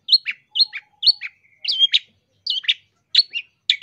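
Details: Long-tailed shrike in lively masteran song full of mimicked phrases, a 2023 training recording for teaching caged birds and luring. Short sharp high chirps with falling slurs, given in pairs about every half second, with a brief thin whistle midway.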